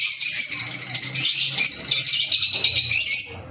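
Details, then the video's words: Several green Fischer's lovebirds kept as pets chatter without pause, a dense, shrill, high twittering that stays loud from start to finish. "Fisher Love Birds Sound | African Lovebirds | Green Fisher Love birds Voice"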